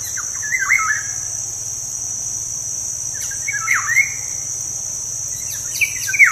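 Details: Black-naped oriole (kepodang) from Indonesia, a lure meant to get caged birds singing. Three separate fluty, swooping whistled phrases come a couple of seconds apart over a continuous high cricket drone.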